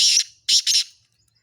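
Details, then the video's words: Black francolin, Sindhi bird, in a mix of calls: three harsh, grating bursts high in pitch, the first longer and the next two short and close together, then silence. "سندھی کالے تیتر کی مکس اوازیں"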